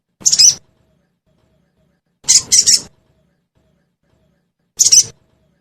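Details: Sogon sound used as a lure so caged birds answer and sing: three crisp, high-pitched chirp bursts, the middle one a rapid triple, separated by pauses of about two seconds in a clean, quiet recording.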